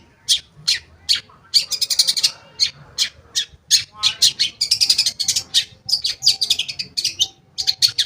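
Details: Long-tailed shrike used to trigger singing in shrikes that have stopped: a rapid, dense chatter of harsh scratchy notes in stuttering runs, with a few sharper chips between them.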